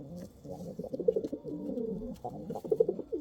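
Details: Several domestic pigeons of the Kal Cheeni and Rampuri breeds cooing together, a dense murmur of low wavering notes with short pulsed bursts, light tapping in the background.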